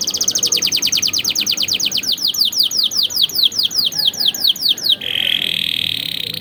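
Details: Canary training song for young birds, with richly varied phrasing: a long run of rapid downward-sweeping whistled notes, about five per second, then a sudden level buzzy trill.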